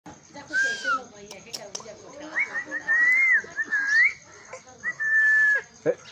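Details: A pet parrot giving clear whistled notes, some rising, some falling and some wavering, in short phrases over six seconds, with speech and household noise in the background.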